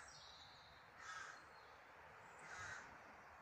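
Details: Two soft, rasping caws from a bird outdoors, roughly a second and a half apart, fairly distant over low steady background noise.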